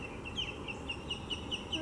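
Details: Ospreys at Lake Seminole Park in Seminole, Florida, guarding three chicks on their nest from another osprey: a quick even series of short, high, piping chirps about five per second, over low rumbling background noise.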